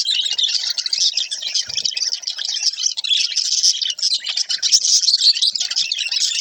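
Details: Interacting budgies give continuous high chattering: overlapping chirps, clicks and warbles blending into a busy, steady babble.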